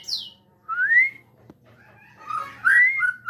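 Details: White-rumped shama of the Jabo type at Cipinang Muara giving a sparse phrase: a high falling note, then a smooth rising whistle, a pause, and a final pair of bright, slurred whistles.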